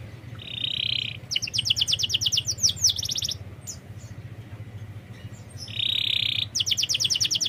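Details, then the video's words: Canary song played as a lure to coax a reluctant canary into singing: a buzzy sustained rattle, then fast runs of sharp repeated notes, a pause, and another buzz leading into rapid chips, over a steady low hum. "Pancingan kenari malas bunyi"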